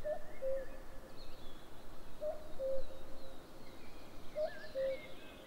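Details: Common cuckoo calling on 11 May 2022: three two-note cu-ckoo calls, a higher note falling to a lower held one, spaced about two seconds apart, with faint distant birdsong and steady low background noise.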